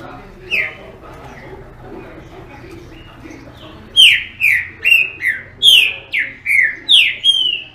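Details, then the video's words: Green-winged saltator in song: after about four seconds of quiet, a loud run of clear, descending whistled notes, each sliding down sharply, delivered in a quick, slightly uneven series of about eight phrases. "TRINCA FERRO CANTADOR"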